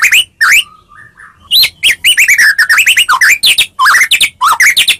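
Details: White-rumped shama from Medan singing a combative lure to draw replies from other shamas: strong whistled phrases, a short soft warble, then a dense rush of looping up-and-down notes with bright harmonics.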